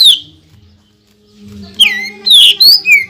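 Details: Greater green leafbird song, delivered with mimicked phrases and rapid shots to provoke other leafbirds: a brief whistled note, a lull over low humming, then a quick run of loud twisting whistles.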